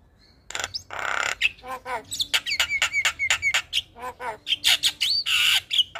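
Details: Javan myna giving its morning call that draws responses from other mynas: harsh rasping bursts alternate with rapid clipped notes and short level whistles in a dense, chattering sequence.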